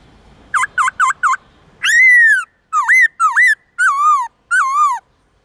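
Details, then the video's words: Morning forest-voice song of a black-throated laughingthrush, used to teach young birds: four quick looped whistles over soft background rumble, then longer, loud, arched and falling whistled phrases separated by short pauses. "Khướu bạc má hót giọng rừng nhiều giọng buổi sáng/luyện khướu non học giọng rừng"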